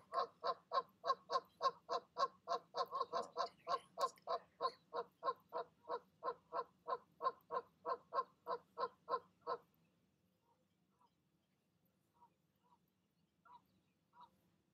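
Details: Evening calls from goose parents talking their goslings down for the leap from the nest: a long, rapid, even series of harsh honks for about nine seconds, then near silence with faint high peeps.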